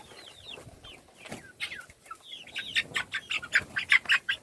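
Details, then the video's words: Little chickens feeding: clear high cheeps sliding downward, repeated rapidly, followed by a run of sharp rhythmic taps, likely pecking at food, several per second. "صوت الدجاج // little chickens chirping SOUNDS"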